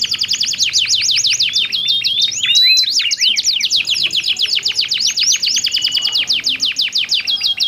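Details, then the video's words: Duet of two canaries with different voices, played to get other canaries singing: fast clicking trills broken by looping whistles, then a long, even, rapid roll. "SUARA KICAUAN KENARI GACOR SALING BERSAUTAN"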